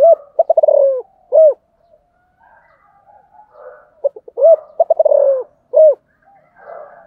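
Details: Spotted dove song repeated twice: quick stuttered low notes running into a rolling, slurred coo, then a rounded, arched final coo. Faint softer bird twittering fills the gaps.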